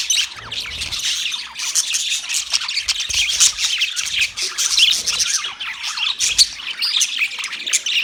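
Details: Several budgies chatter steadily, their rapid high chirps, buzzy warbles and short squawks overlapping without pause for the whole stretch.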